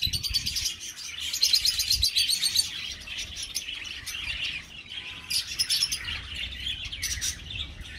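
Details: Many budgerigars in an aviary colony chirp and warble together; bursts of sharp, buzzy twitters rise and fall over a constant chattering background.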